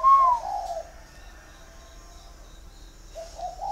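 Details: Six-year caged male spotted dove, large and red-eyed, northern type with giọng thổ voice: a sharp falling whistle opens, followed by a brief low coo, quiet pause, then another soft cooing phrase at the end.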